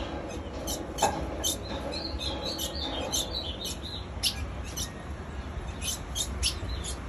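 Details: A female ultramarine grosbeak gives repeated high thin chip calls, unevenly spaced roughly twice a second, with a steady low hum in the background.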